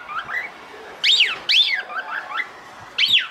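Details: Female cockatiel calling to the male: soft low chatter punctuated by three loud, sharply arched whistles over a noisy background.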